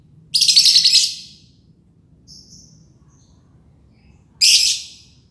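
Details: Green lovebird in ngekek style, a long trilling song: two loud, rapid, harsh rattling bursts of about a second each, separated by a faint short squeak and near silence.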